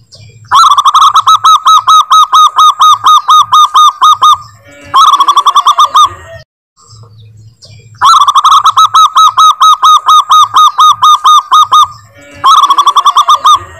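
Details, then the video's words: Local zebra dove in full song, giving long sustained singing: rapid series of clipped, harmonic cooing notes about five per second, a four-second run, a shorter burst, a pause, then the pattern repeated. "Perkutut Lokal Gacor Bersuara Panjang"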